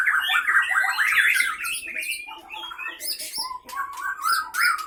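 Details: White-rumped shama of the Leuser Pining line, Aceh, fighting in a cage; a cascade of sharp, jumbled whistles at first, then crisp clicking notes mixed with short high whistled phrases.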